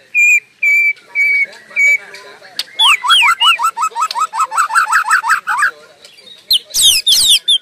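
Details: White-rumped shama singing without pause: four level clear whistles, then a rapid run of paired rising and falling notes, ending in loud high sweeping squeals.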